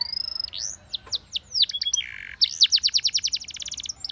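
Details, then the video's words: A Spanish Timbrado canary sings loud, bright phrases of sweeping whistles and downslurs, ending in a fast metallic trill of repeated notes at about a dozen per second. "Spanish Timbrado Canary Singing"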